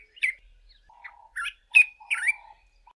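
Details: Male Dark-capped Bulbul singing in early morning from the top of a bush: a few sharp, slurred whistled notes separated by pauses, alongside a lower, steady hum-like whistle underneath.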